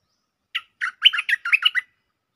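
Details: Bulbul lure song, a phrase described as having doubled notes: one quick bubbly phrase of about eight short warbled notes, rising and falling, over roughly one and a half seconds, with no background sound.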